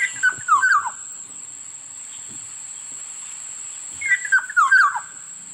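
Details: Black-naped oriole (kilyawan) repeating a brief phrase of falling, fluty slurred notes twice, about four seconds apart, with a continuous high-pitched whine in the background.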